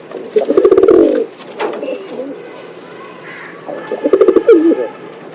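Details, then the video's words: Pigeon gives low, throaty rolling coos in two bursts about three seconds apart, with a softer murmur between them and a quiet background. "kabootar masti pigeon Sound"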